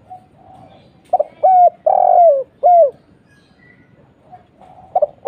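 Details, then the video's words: Spotted dove call used as a lure to draw answering doves: a mid-pitched cooing phrase of a short note, a clipped coo, a long downward-sliding coo and a final short coo, then quiet. "SEMUA LANGSUNG NYAUT..!!! suara burung tekukur kuk 1"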